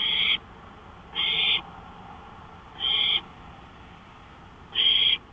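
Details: Nighttime owl on a porch, May 5, 2013, 1:53 AM: four short, harsh hissing bursts at uneven gaps of one to two seconds, with quiet night hiss between them.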